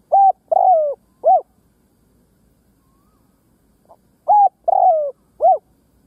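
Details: Spotted dove used as a ground decoy, calling to lure other doves. Two matching phrases about three seconds apart, each with three loud, hooting coos. The middle coo is drawn out and falls. Little other sound.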